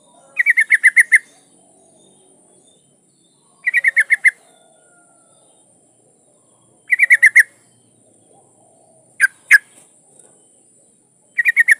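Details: Female yellow-vented bulbul, breeding condition, calling to a male: repeated bursts of quick chattering notes about every three seconds, plus two isolated louder sharp notes between bursts.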